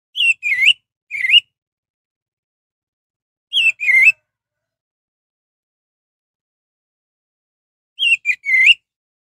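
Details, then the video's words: Song of an orange-headed thrush, meant to stir rival birds into singing: three short bursts of paired slurred whistles, each dipping and rising, separated by long silences. "suara anis merah untuk pancingan"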